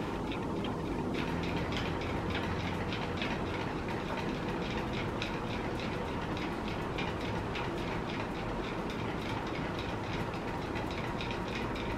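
Steady rumbling and clattering of a passing train fills the recording, with no animal calls standing out.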